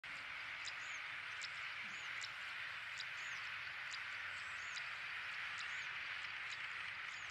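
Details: Siberian stonechat (Saxicola maurus) calling: thin, high, short whistles and sharp ticking notes repeated about once a second, over a steady loud hiss of wind or rushing water.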